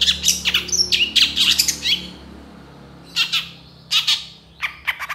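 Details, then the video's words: Long-tailed shrike singing in a recording meant to train songbirds: dense, scratchy chattering phrases at first, followed by a few separated harsh notes with a low steady hum underneath. "SUARA CENDET GACOR DOR FULL ISIAN TEMBAKAN COCOK BUAT MASTERAN BURUNG KICAU APAPUN"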